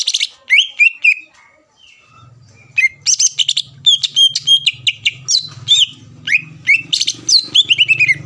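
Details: A greater green leafbird sings to provoke rival leafbirds, with a dense mix of sharp whistles, harsh chatter and mimicking twitters. A low rumbling hum runs beneath most of the song.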